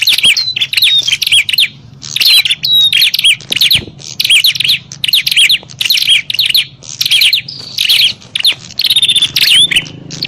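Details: A noisy prinia fight used as a lure for wild prinias: a sustained series of rapid, sharp chirp bursts with occasional thin whistles, nearly continuous over ten seconds.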